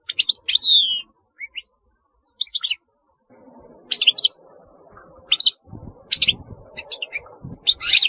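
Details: European goldfinch giving bright buzzy twitters and quick slurred notes in bursts, with faint low knocking noises in the background during the second half.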